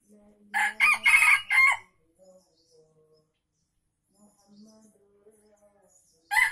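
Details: A lure recording of an Aceh junglefowl: a short, loud, ragged crow in three quick pulses, then a quiet stretch of faint background tones before another crow begins.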